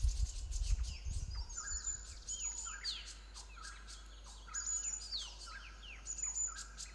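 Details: Green-backed tits calling as a yellow-throated marten raids their chicks from a tree nest-hole, parents darting before the predator; sharp downslurred chips and high piercing tones come in clusters, with a low thump at the start.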